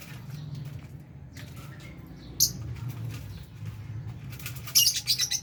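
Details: Lovebirds feeding alongside budgies: a single sharp squawk, then a quick run of shrill chattering calls near the end, with a steady low background hum.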